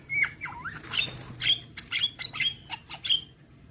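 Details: Javan myna song with full fill-in phrases, mixing slurred whistles, squeaky chirps and harsh chatter in quick, uneven bursts over a low background hum.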